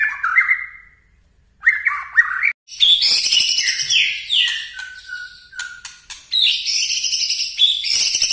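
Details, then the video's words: White-rumped shama song opening with lower rich whistled phrases, then shifting to loud high chattering trills, sliding whistles and steady held notes, delivered in varied bursts with brief gaps. "Murai batu nembak2 bikin kaget aje"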